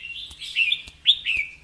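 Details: Red-whiskered bulbul delivering a short, clear double-phrase 'rik' style song of two bright, wavering whistled notes with a brief pause between them, with faint tapping in the background.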